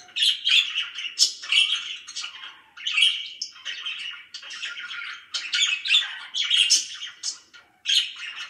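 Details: Several pet budgerigars in a cheerful mood keep up a lively scratchy warble, rapid chirps and harsh squawks tumbling together in uneven phrases with a brief lull near the end.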